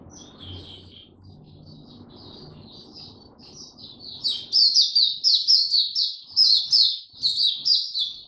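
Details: Oriental white-eye tiong aw song, 25 January 2022, after a late sleep: quiet, scattered high twitters over soft low background noise, building after four seconds into loud, rapid, bright slurred chirps.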